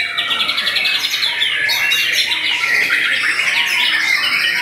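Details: Loud white-rumped shama singing at a bird contest from its hanging cage, a continuous stream of quick whistled and chattered notes with sweeping up-and-down slurs and rapid repeated bursts, little silence between phrases.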